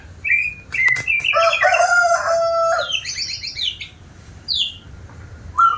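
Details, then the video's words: White-rumped shama, said to sing diligently, delivers a loud, rich phrase of harsh, layered notes lasting about two seconds, followed by descending slurred whistles and scattered sharp high notes. "Burung murai batu rajin bunyi"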